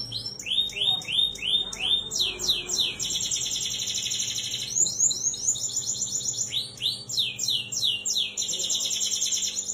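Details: Lively 'gacor' canary song, used as a lure to prompt a silent canary to sing: a run of repeated downward-sweeping high notes, then long, fast buzzy trills with brief pauses and further swept phrases near the end.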